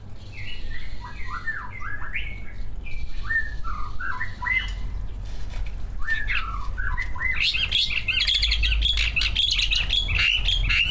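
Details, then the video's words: Greater green leafbird, a captive competition songbird, delivering a long varied song: repeated descending whistled slurs, then a dense rapid outburst of high chattering notes, over steady low hum. "Kicau burung cucak ijo gacor, prestasi, full masteran. buat pancingan dijamin ikut Gacor"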